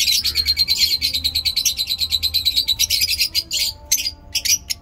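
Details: Chirping lovebirds in Peshawar, Pakistan, in fine weather: a fast run of shrill, buzzy chirps, about two per second, becoming broken and sparser toward the end.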